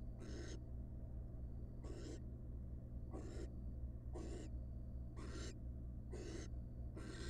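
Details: Wild barn owls at the nest box, father bringing a gigantic rat on the first nestling's hatching night; rasping, breathy hisses roughly once a second, slightly irregular, over a constant low hum.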